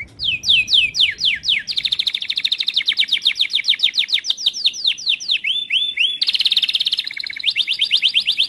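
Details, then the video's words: Timbrado canary training song: loud rapid trills of downward-sweeping whistled notes, shifting between repeated phrases, with fast buzzy rolls and a brief steady whistle near the end. "TIMBRADO CANARIES - CANARY SINGING MOST SPECTACULAR VIDEO TRAINING SONG"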